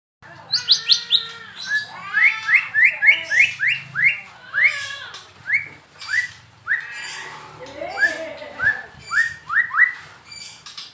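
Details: White-rumped shama from Medan, described as a keen, frequent singer: loud, rapid run of clear whistled notes that rise and slur upward, repeated nearly twice a second, with a low hum beneath.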